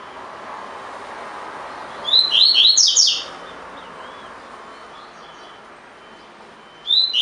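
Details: Tui tui fibra style song from a caged collared seedeater used to train birds: a second-long run of rising whistles and quick twitters over steady background hum, with a new phrase beginning after about four seconds.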